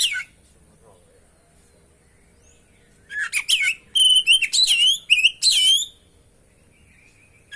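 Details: Kacer, the oriental magpie-robin, in a trigger and training song recording: after near silence, a dense three-second run of clear whistled notes slurring up and down, mixed with scratchy chips, then quiet again.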